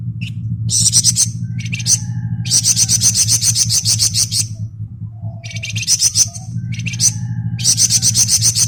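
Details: Flamboyan singing in lively ngebren style: dense bursts of rapid, buzzy, high trilled notes in clusters a second or so long, separated by short pauses, with a few soft low whistles and a steady low hum underneath.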